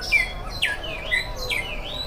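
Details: Oriental magpie-robin singing in the morning, played to prompt other birds to sing: clear whistled notes sliding down and then up, with a few sweeping phrases spread across two seconds over a soft background hum.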